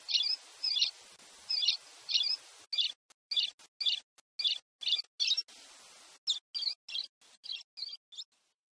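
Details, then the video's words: Brazilian pileated parrot repeating quick, scratchy high-pitched chirps in a steady run of about twenty bursts, separated by abrupt silent breaks. "cuiú-cuiú : AVES EXÓTICA DO BRASIL"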